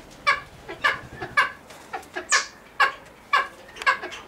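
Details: Harsh clucking calls from a cheer pheasant at a pheasant nursery, spaced about half a second apart, with one brief hissing rustle midway.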